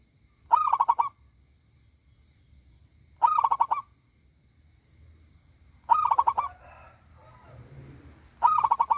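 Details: Loud, big-voiced local zebra dove (perkutut) delivering brief rolling coo phrases roughly every 2.5 seconds. After the third phrase comes a soft rustling, scratchy noise. Low hum underneath throughout.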